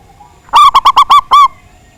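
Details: A local zebra dove, singing actively with a big voice, its song meant to goad rival birds into answering. Six rich staccato coos in about one second, the final note longer and falling, with a thin background hum.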